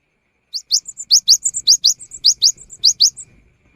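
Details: Cinereous tit afternoon song, said to lure other tits into singing: rising upslurred whistles come in pairs, each pair followed by a short flat high note, the three-note motif repeating about six times at an even pace.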